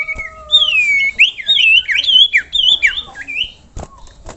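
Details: Common iora calling to lure other ioras into singing: a busy run of clear whistled notes, many sweeping upward or looping, tumbling over one another for about three seconds, then a few sharp clicks.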